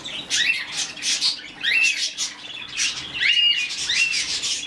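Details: Young budgerigar, a rescued hand-fed chick, gives loud, squeaky chirps in clusters, some notes sliding upward, separated by short quiet gaps.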